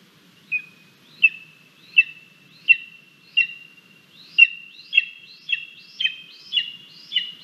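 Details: Hungry female lesser spotted eagle chick at the nest on 28 July 2022, being fed a frog and a vole by its parents, filmed by a live nest camera: a series of high, sharp whistled notes about every 0.6 seconds, twelve in all, growing louder.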